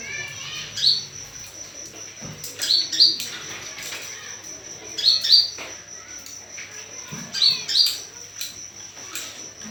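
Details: Olive-backed sunbird calls meant to lure others into responding: bright high chip notes, mostly in pairs, repeated roughly every two to three seconds, with clicking and a constant high tone behind.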